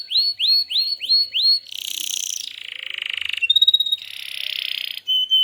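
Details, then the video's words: Canary singing energetically in a tutor recording meant to teach young canaries and prompt silent ones to sing: a run of five rising upswept whistles, then buzzy rattling trills and a rapid pulsed roll, ending in clear high whistled notes. "suara burung Kenari Gacor Masteran Burung Kenari Paud & Pancingan Kenari Macet Bunyi"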